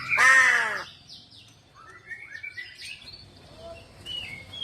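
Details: Crow, in a recording about the myth that its voice brings news of death: one loud, harsh, hoarse caw with layered overtones in the first second, followed by scattered thin chirps and whistles of other birds.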